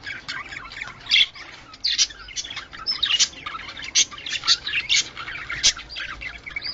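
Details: Budgerigar chatter meant to stimulate breeding: a continuous stream of high, bright chirps and squeaky notes, with sharper louder accents scattered through the phrase.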